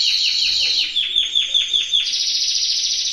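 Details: Spanish timbrado canary kept in an aviary, delivering a fast series of descending chip notes that merge into a sustained high rolling trill.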